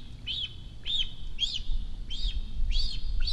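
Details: Cinereous vulture fledgling in its nest in Rascafría, Sierra de Guadarrama National Park, a month after its first flight, begging for food on spotting a parent in the sky: high arched squeals repeated about twice a second over low rumble.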